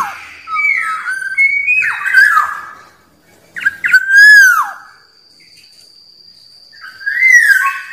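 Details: Black-naped oriole in the wild, its song used to provoke rival birds: rich fluty whistles with mellow slurred notes, then a loud liquid phrase ending in a falling whistle, a pause, and another mellow whistled phrase; a faint steady high tone throughout.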